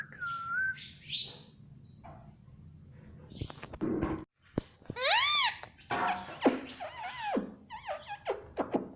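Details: Caged pet Indian ringneck parakeet giving mixed vocalizations: a whistled note, scattered clicks, then a burst of loud arched harsh squawks and rasping chirps, with a low background hum.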